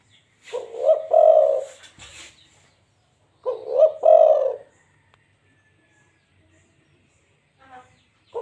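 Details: Local zebra dove giving two loud bursts of low, rolling coos, each a few quick stuttering notes running into a longer purring trill, the bursts about three seconds apart, with a faint soft call near the end; otherwise quiet background.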